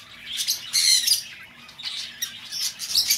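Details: Lovebird calling, meant for luring an escaped bird home: harsh, high, buzzy squawks in two loud bursts with softer chatter between.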